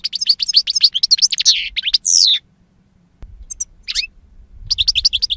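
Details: Rapid, liquid twittering song of a European goldfinch, dense high chirps with a buzzy nasal note around two seconds, a short silence, then scattered chirps and resumed twittering over faint low hum.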